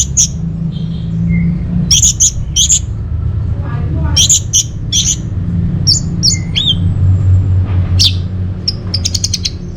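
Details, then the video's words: Orange-headed thrush song serving as a lure and master song for caged birds: scattered sharp high notes, short upward and falling whistles, and a quick rattling run at the end, over low hum. "ANIS MERAH Dirumah Pasti Gacor || Pancingan sekaligus Masteran Burung Punglor"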